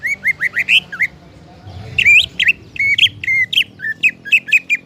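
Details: Greater green leafbird song used to prompt other leafbirds to sing: loud, rapid series of whistled, slurred and warbling notes, many rising or falling sharply, in bursts with a brief pause near the middle; faint low background hum.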